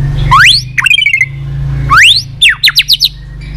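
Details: White-rumped shama singing tạch phrases meant to fire up a listless shama: long rising whistled slides, a descending rattle, then a brisk series of four sharp upward-sweeping notes.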